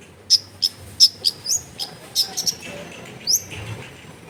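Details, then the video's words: Long-tailed shrike sound used as therapy to get a lazy-singing bird to answer, recorded in a crowded residential area: short, sharp, high chirps in an uneven series, with a couple of upward-sweeping notes and a low background hum. "TERBUKTI TERAPI CENDET MALAS BUNYI LANGSUNG NYAUT"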